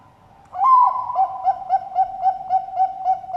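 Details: A Bangkok-type zebra dove from a bird farm in Sidoarjo, East Java, sings a soft rising coo followed by a rapid string of short, mellow hoo notes, about three to four per second, with a steady low hum underneath.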